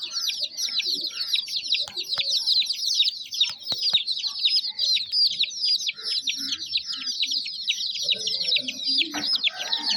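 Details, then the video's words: Baby chicks calling constantly, rapid high thin peeps sliding downward in a dense rhythmic stream, with a few faint clicks and a soft rustle at the end. "Tint Baby MURGI Chicks are Chirping Sounds"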